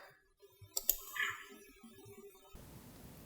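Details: Sharp clicks and tapping over a low steady hum, ending in a wash of hiss, with no animal voice.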